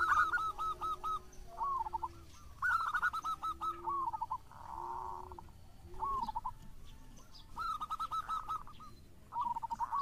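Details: Indonesian local zebra dove, singing actively to draw out rival doves. Repeated short phrases of quick bubbling coos alternate with a drawn-out purring note, against a low background hum.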